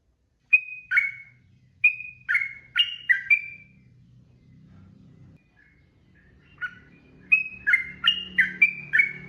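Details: Long 'ropel' song of a sooty-headed bulbul: a burst of bubbly, falling paired notes, a pause of a few seconds with low background hum, then rapid chattering phrases again.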